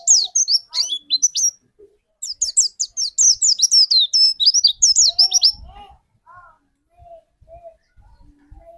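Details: White-eye lure song meant to set off another bird's singing: a long, dense run of sharp, high descending notes that stops abruptly. Soft lower chirps and faint knocking sounds follow.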